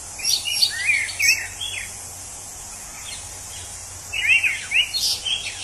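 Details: Orange-headed thrush in the wild delivering two bursts of quick, looping whistled phrases separated by a pause of about two seconds, with high insect hiss throughout.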